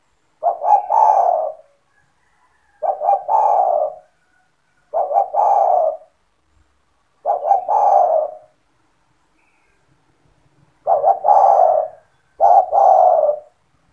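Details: Owner's spotted dove in 'gacor' form, its call meant to draw other doves into calling: six low, husky phrases, each two quick clipped notes then a longer rolling coo, spaced about two seconds apart in a quiet setting.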